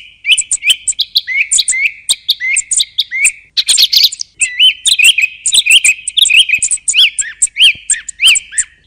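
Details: Song thrush repeating a short, upward-hooked whistled phrase many times in steady runs, about ninety notes a minute, with sharp high clicks between the repeats.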